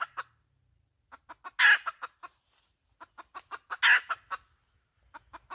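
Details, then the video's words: Hen giving a cackling series: sharp clucks speeding up, then a loud rasping squawk, repeated twice with clucks trailing after each, in otherwise quiet surroundings. "Suab poj qaib tsauj dib tuaj zoo heev"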